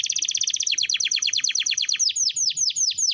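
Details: Canary lure recording for young canaries learning to sing: a very fast high trill slows into a series of separate downward-sweeping whistled notes, about two or three per second at the end.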